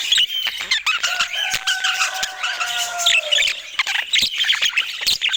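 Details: Budgerigar chatter, busy and scratchy, fills the background while a steady, drawn-out hooting tone with overtones sounds for about two seconds, followed by brighter chirps and clicks.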